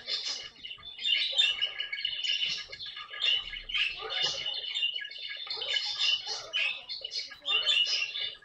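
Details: Harsh, continuous squawking from a pet caique parrot, dense rasping screeches and chirps packed tightly over several seconds with barely any gaps.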